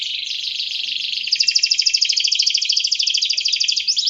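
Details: Energetic gacor canary song, offered for prompting other birds to sing: a fast, even, rolling trill of high pulsed notes that swells suddenly louder after about a second and carries on without a break.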